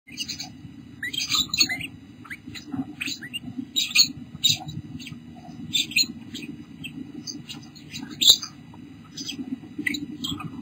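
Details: Pink Bourke's parakeet, a mother with her two babies, recorded 8 July 2014 at 5:43 pm Pacific time; short, high chirps and squeaky notes come in quick clusters throughout, over a steady low hum.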